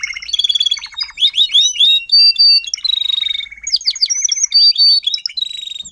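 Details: Adult Timbrado canary tutor singer teaching young canaries to sing, phase 4: a continuous rapid song of trills, rolling notes and sustained whistled tones, switching between phrases roughly every half second, with fast repeated chips and downward sweeps throughout.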